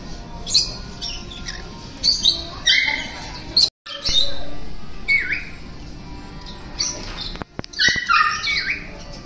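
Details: Captive green-cheeked parakeets preening each other at an animal petting school in a shopping center in Matsuyama, Ehime, Japan; harsh rasping squawks and short screechy chirps come in bursts, over background music and faint voices.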